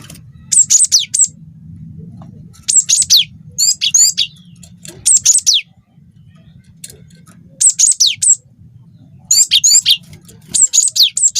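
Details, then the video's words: Young cinereous tit singing actively in a long rolling sequence: repeated clusters of three or four high, sharp notes with falling slurs, about eight bouts over the stretch, with a soft low hum behind. "PANCING BUNYI GELATIK BATU GACOR WINGKO"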